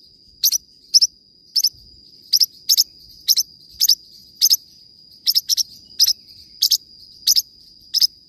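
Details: Forpus parrotlet sings a long series of bright, high double chirps, about two per second, some in quick pairs, against a steady high whine.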